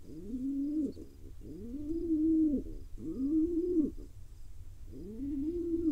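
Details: Tiny wild pigeon chick being fed by its father in Israel, giving four arched, whining whistles about once a second, each rising then falling, with a steady low hum beneath.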